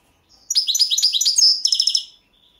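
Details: Balkan goldfinch competition entry, 2022 world championship; fast liquid twittering followed by a short rattling buzzy trill of rapid pulses, then a faint thin note after.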